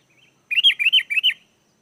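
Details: Sooty-headed bulbul song played to draw wild bulbuls into answering: three quick, rising-then-falling whistled phrases in close succession, clear and fluty, on a silent background.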